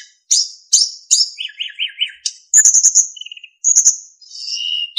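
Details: Training song of a narcissus flycatcher, rich in fill-in phrases and clean flute-like whistles: three high chips, a run of four looping wavy notes, then a shimmering high trill and sustained whistles.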